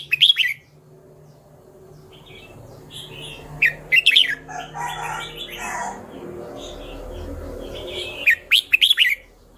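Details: Red-whiskered bulbul repeating bright, fast warbled phrases of sharp chirps in several bursts, with softer twittering between them and a faint low hum.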